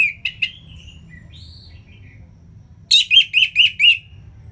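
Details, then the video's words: Orange-headed thrush song for encouraging quiet birds to sing: a few short notes and soft distant whistles, then five loud, evenly spaced emphatic notes delivered in quick succession. "ANIS MERAH Ngeplong Masteran Jahat Untuk Burung Yang Malas Bunyi Agar Lebih Gacor Selalu"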